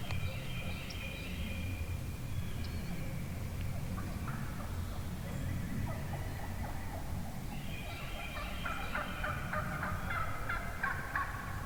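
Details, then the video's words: Morning chorus of wild turkey hens from the middle of a big flock: bursts of raspy yelps and clucks, some sustained and whining, several birds calling at once, with low steady rumble beneath. "REAL Hen Turkey Vocalizations"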